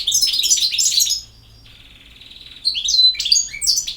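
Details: A European goldfinch twitters rapidly, moves into a soft nasal buzzing trill, then returns to bright tinkling notes and high whistles.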